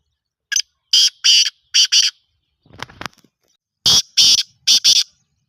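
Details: Black francolin, or kala teetar, repeating its grating call twice: a short first note, then paired harsh, buzzy notes, with a burst of rustling noise between the two phrases.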